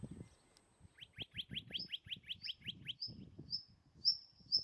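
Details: Near the crag nest above Agios Germanos in Greek Prespa, a Western rock nuthatch (Sitta neumayer) gives a fast string of upward-sweeping chirps, then slower, higher piercing whistles about two per second, over low background thumps.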